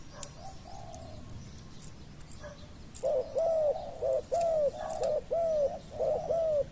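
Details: Spotted dove during decoy luring of a wild dove. Quiet at first, then a loud run of arched, downslurred coos starts, about one per second. Scattered clicks and taps are heard in the background.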